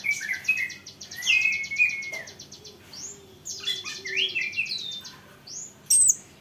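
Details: Song of an olive-backed sunbird, used to provoke rival sunbirds into replying: a high buzzy rattle, then scattered shrill upward-swept notes and twitters, with soft gaps between bursts.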